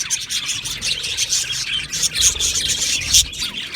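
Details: An aviary budgie colony singing and chirping around breeding time. Quick twittering notes overlap, with a couple of louder sharp squeaks standing out above the constant high chatter.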